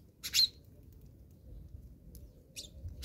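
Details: Fighting house sparrows in South Africa give a loud burst of harsh, high chirps early on, then fainter scattered chirps follow against a low hum.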